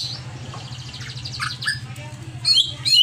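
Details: Greater green leafbird singing in an agitated, over-emotional state: quieter fast chattering notes, then louder sharp whistled chirps toward the end, with a continuous low humming background.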